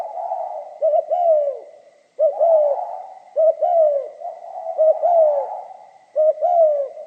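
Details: Cooing spotted dove, 'giọng pha kim' song style: deep mellow phrases of two short clipped notes followed by a drawn-out falling coo, about five phrases, over a faint constant high tone.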